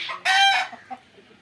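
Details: Fayoumi rooster from an Egyptian line on a Jamalpur farm: one brief, loud, harsh crow lasting under half a second, followed by faint clucks.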